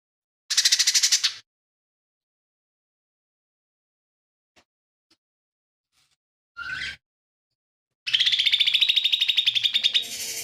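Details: Lesser green leafbird, a lively songster with mimicked phrases. A short harsh rattle opens the recording, then a long quiet gap, a brief rising squeal, and finally a sustained fast buzzy trill.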